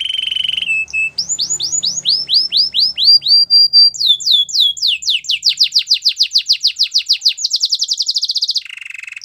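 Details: A canary's training song: a flat whistled note, then repeated falling sweeps that accelerate into a dense rapid series, a buzzy high trill and a lower trill at the end.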